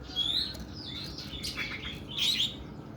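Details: Oriental magpie-robin singing long and rough, with a thin whistled note, blurred scratchy phrases and a final bright warble.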